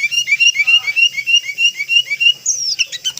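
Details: Sooty-headed bulbul (Pycnonotus aurigaster) lure call for trapping: a quick run of bright, slightly buzzy chirps, three or four per second, ending with a higher whistled note.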